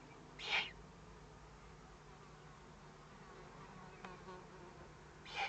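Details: Owlets under threat sounding a warning, recorded 22 May 2015 at 20:42; one rough, hissing burst near the start, a long quiet stretch with a faint click, then another burst cut off at the end.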